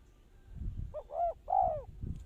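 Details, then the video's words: Lure spotted dove for bird trapping gives a single hollow phrase of quick low coos ending in a longer, falling croo, with faint low thumps and rumble around it. "Tekukur pikat"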